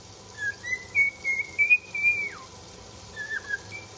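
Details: Pet cockatiel (Nymphicus hollandicus) whistles a clear, tuneful phrase of held notes that rise slightly, then slide down, while the dishes are being done.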